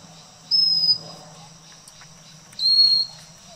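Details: On Fraser's Hill in Malaysia, a Pygmy Cupwing calls with a pair of piercing high whistled notes, the first level and the second dropping a little lower, two seconds apart, against a faint low hum.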